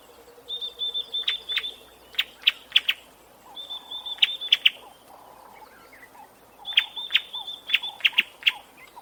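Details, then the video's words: A bird gives a level, buzzy trill near high pitch, broken by sharp clicking chips in bursts at about 1, 2.5, 4.5 and 7–8.5 seconds, with a faint lower rapid trill at the start and quiet outdoor background. "Sonido de un pajaro"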